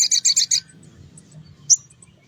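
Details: Spiderhunter in morning song, used as a lure for small birds: a quick burst of five loud buzzy high notes, then quiet and one later sharp chirp.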